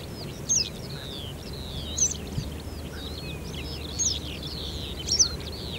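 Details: Western yellow wagtail (Motacilla flava), Denisovo, Pronsky District, Ryazan Oblast, Russia, May 2021, giving four short, thin, high calls about every one and a half seconds, over a busy chatter of other birds and a low rumble.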